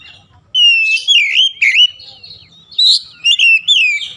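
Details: Oriental magpie-robin singing loudly, a stream of rich, fluty whistled phrases with quick warbling turns and slurred notes, delivered in bursts separated by brief pauses, with a faint low hum underneath.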